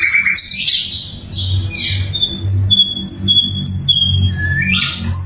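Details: Sikatan londo flycatcher singing loudly for use as master song for magpie robins and other songbirds; sweeping high slurred notes and short clear whistles spaced irregularly, over a pulsing low background hum.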